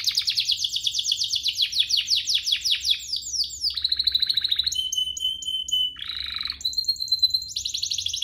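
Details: Canary song used as a lure to make other canaries sing, a fast sequence of varied phrases: rapid rolled trills, a steady high whistled note, buzzy bursts and repeated chirps, changing tour every second or so.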